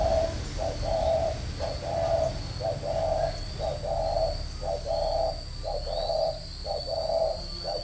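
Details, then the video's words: Caged spotted dove kept as a decoy bird in Ba Vì, Hanoi, northern Vietnam, cooing in the "thổ mổ còi" style: low, hollow coos, mostly in short-and-long pairs, about one a second, with a faint steady whine behind. "Thổ mổ còi - Còi coi thường Thổ"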